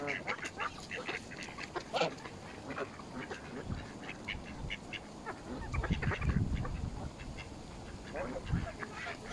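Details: Mallard ducks in a feeding frenzy with Canada geese at a pool in Fenton, Stoke on Trent, United Kingdom, November 2021, phone recording: rapid, overlapping short quacking calls throughout, with low rumbling thuds of splashing or handling noise.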